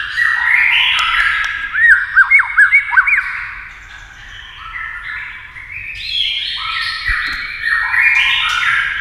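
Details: White-rumped shama singing against a TV, with a burst of looping whistled notes followed by softer warbling over continuous background sound.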